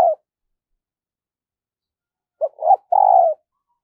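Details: Decoy spotted dove's cooing song for luring wild doves: a tail-end coo, a pause, then a phrase of short note, rising coo and long falling coo.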